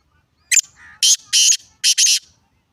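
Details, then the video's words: A black francolin gives a sharp note, a soft low murmur, then four strong rasping bursts, the last pair joined almost without a gap. "کالا تیتر کی آواز ویڈیو سندھی تیتر کی آواز"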